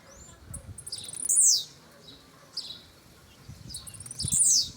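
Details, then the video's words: Pardinho blue-black grassquit singing: very high, sharp buzzy bursts that sweep downward, repeated every couple of seconds, with softer high notes between them and faint low background rumble. "Tiziu Pardinho dando show"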